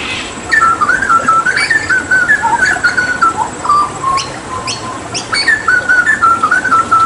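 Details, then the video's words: Hooded butcherbird, endemic to Papua, singing energetic 'tembakan' tutor song: long flowing whistled phrases of slurred notes rising and falling, with sharp high clicks scattered through the middle. "Masteran Tembakan JAGAL PAPUA gacor"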